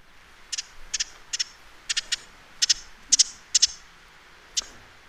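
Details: Ruby-crowned Kinglet on wintering grounds giving its one winter call, dry high chit notes, often doubled, about two per second unevenly over faint hiss; serves as flock contact call, alarm, and for mobbing owls.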